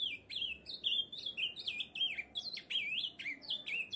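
An Ultramarine Grosbeak sings a rich, unbroken warble of sweet whistled notes that rise and fall quickly, with no other clear sounds.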